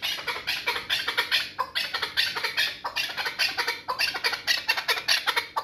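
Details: Chukar partridge used for hunting in the Pamir, uttering a fast, uneven string of hoarse, clucking chuk notes, over two per second, sounding slightly rasping and bright.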